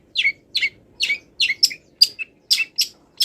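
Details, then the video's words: Long-tailed shrike training song full of imitated wild-bird phrases. The bird is still moulting. It gives sharp, high, chirping notes in short bursts, some with a bright whistled peak, spaced irregularly about every half second. "MASTERAN CENDET FULL ISIAN BURUNG LIAR"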